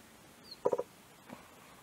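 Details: A male Mrs. Hume's pheasant in Doi Pha Hom Pok National Park, northern Thailand border area, gives three quick, low, throaty clucks in a tight burst, followed by one softer cluck; otherwise quiet.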